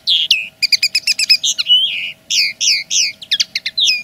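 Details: Common linnet singing as a plain territorial claim: a rapid run of bright twittering notes, stacked chirps and short trills, with quick downslurred whistles and a steady low hum throughout.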